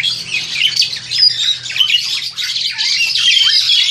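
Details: Young captive Crested Myna, roughly 7-8 months old, recorded by phone: rapid jumbled high squeaks, short downslurred whistles and harsh chatter running together without pause, with a faint low hum.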